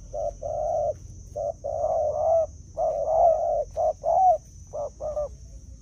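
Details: Spotted dove gives soft, hollow coos in short broken phrases, several notes in quick groups with brief pauses, over a faint steady high-pitched whine; a decoy bird used for calling wild doves.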